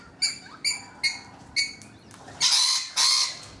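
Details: Rainbow lorikeets on a balcony: four short, sharp piping notes spaced about half a second apart, then two long harsh screeches.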